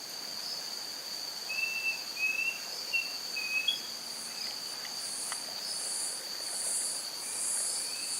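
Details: In Guapimirim, Rio de Janeiro, Brazil, a Thrush-like schiffornis gives a few clear, slurred whistles in a short run, set against a steady, high-pitched insect chorus.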